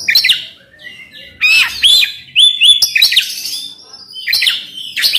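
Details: Oriental magpie-robin song meant to stir a silent bird to sing: harsh scratchy bursts mixed with sweet whistled phrases, a pair of level whistles in the middle, then more buzzy chatter after a brief pause.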